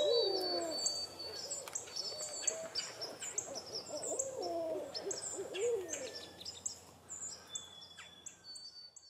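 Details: Barred owl calling: loose, uneven bursts of low hoots with a couple of emphatic, sliding notes near the start and middle, fading toward the end, with busy high-pitched chirps and trills from other creatures behind.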